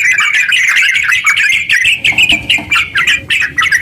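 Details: Rapid 'gacor ropel' singing from a sooty-headed bulbul, played to stimulate other bulbuls; fast twittering chatter that turns into choppy, separate bursts of sharp notes toward the end.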